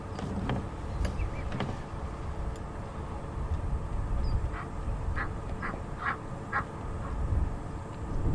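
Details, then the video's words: Egyptian geese in Sabi Sands, South Africa, on a November afternoon drive, agitated and guarding goslings with a marabou stork lurking nearby, give a run of about six harsh, hoarse quacks, roughly two per second, over a steady low engine rumble. "That quack, quack, quack, quack, quack is the Egyptian geese you can hear calling, and they'll call out like that when they do get agitated."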